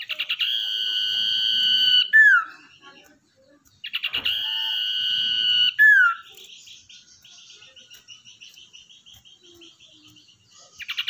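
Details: Common iora, a wild-caught bird tamed over a long process and kept to lure others, gives two long sustained whistles, each begun with stuttering notes and closed by a drooping slur, followed by soft rapid chattering.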